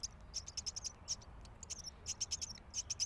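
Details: Myna chick begging noisily during feeding, giving rapid, rough, high-pitched rasping bursts in quick uneven clusters, several per second, with short pauses between runs.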